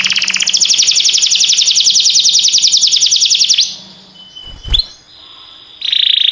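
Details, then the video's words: Canary singing a fast, buzzy, high trill of rapidly repeated notes for over three seconds. A short pause follows with a single sharp click, then the trill resumes at the end. "This Sweet Melody Will Excite Your Singing Canary!"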